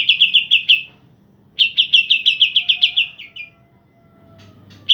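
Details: A pair of green leafbirds singing vigorously, played to provoke birds off form. Two runs of rapid, evenly spaced sharp chirps, each slurring downward and fading, separated by a short pause, then a faint whistle.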